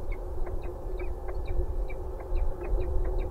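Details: Peregrine falcons exchanging prey at De Mortel on 20 April 2016, giving quick, thin, high chipping notes, several per second, over a steady low rumble of wind or distant traffic; Peregrine falcon.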